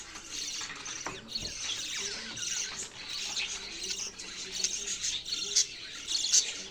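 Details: A steady stream of busy, high twittering from budgerigars, many short scratchy notes blending into one chattering layer, with a few brighter squeaks standing out in the second half.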